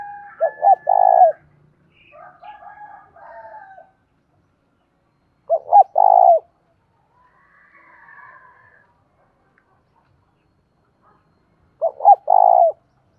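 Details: Three repeated coo phrases from a spotted dove kept as a lure for wild birds, each a quick double note followed by a longer held coo, spaced roughly five seconds apart. Quieter whistling from other birds sounds in the gaps.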